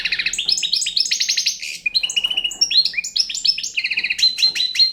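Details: Bright, jingling song of a young Balkan European goldfinch, alternating high repeated chirps with rapid trilled runs and whistled notes.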